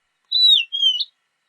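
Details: Single horned lark phrase: a drawn-out high whistle sliding downward, then a second level note ending in an upward flick.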